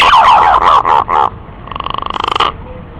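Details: Green pigeon calls used as a lure for hunting: a run of loud, buzzy whistled notes with rich overtones, then a fast series of short pulsed notes ending abruptly.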